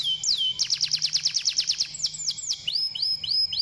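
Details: Canary song meant to prompt canaries to sing: one swooping note, then a rapid run of about a dozen sharp descending notes, followed by slower rising whistled phrases.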